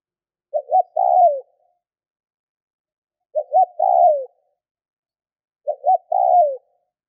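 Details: Spotted dove cooing to trigger calling in other doves: three evenly shaped phrases about 2.5 to 3 seconds apart, a paired short coo then an extended descending croo each time. Nothing else audible.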